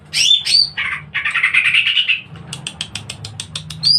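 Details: Greater green leafbird singing in an agile, aggressive fighting style: harsh squawky slurred notes and a scratchy warble, then a fast series of sharp high chips and a thin whistled note.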